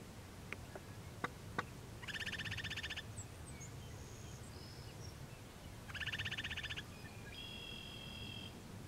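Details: Upland Sandpiper northwest of Regina, Saskatchewan, Canada, in the evening of June 26, 2016, with another bird nearby. Two fast buzzy pulsed trills about four seconds apart, separated by faint thin whistles and a few sharp clicks over a low rural rumble.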